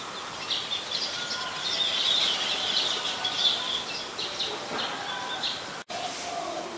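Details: Scaly-breasted munias (Lonchura punctulata) in Ubon Ratchathani, Thailand, on 31 December 2020 give thin, high chittering notes, several a second and overlapping as from a small flock, over a steady outdoor hiss.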